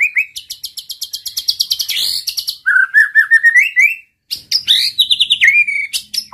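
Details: White-rumped shama provoking rival males with song: long runs of rapid repeated chirps, a rising trilled series in a lower register, a brief pause, then more fast varied whistled phrases.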